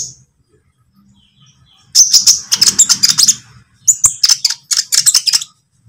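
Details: Lovebird lure recording for training birds, green or pied type: after a short silence, two bursts of rapid, shrill, high-pitched chattering chirps, each about 1.5 seconds long, with a faint low hum underneath.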